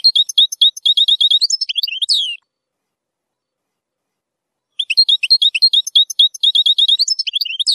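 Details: Zilzal-style goldfinch song with strong nahrat, meant for teaching young goldfinches to sing: two long runs of fast, high, chattering twitters ending in a sliding, rising-falling flourish, split by a silent gap of about two seconds.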